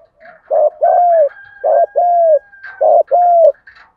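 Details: Spotted dove coo meant to stimulate other doves, male and female birds included: three loud paired phrases, a short hoot then a drawn-out falling coo, about every 1.2 seconds, with a faint higher whistle behind.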